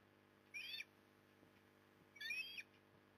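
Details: Nest-camera osprey, Port Lincoln, Australia, 15 September 2020, afternoon with a large fish brought in: two bright, rising-then-falling whistled notes about a second and a half apart, quiet low hum between.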